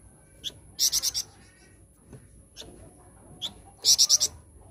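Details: Flowerpecker song used as a lure to make other birds sing: two short bursts of four to five quick, piercing high notes, with separate single sharp chips in between.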